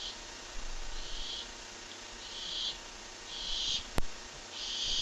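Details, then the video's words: Barn owl at a nest box watched by a live camera, with harsh hissing screeches repeated about once a second, each a broad noisy burst, and one sharp click partway through. "More strange sounds"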